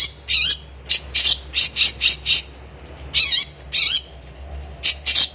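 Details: Long-tailed shrike, gacor style: a run of evenly spaced rasping high notes, a brief lull, then two longer buzzy phrases and final sharp chips over a faint low hum.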